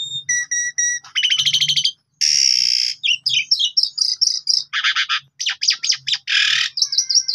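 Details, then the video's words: An Asian pied starling sings a fast, varied medley of clear high whistles, rasping bursts and chattering notes, changing every half second or so; the song is used as a lure and master song for training other birds. "Pancingan Jalak Suren"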